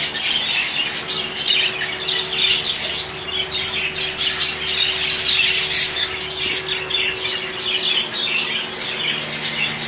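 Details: A colony of rainbow budgerigars fills the space with dense chirping and squawking, many voices overlapping in rapid high bursts, with a low steady hum behind.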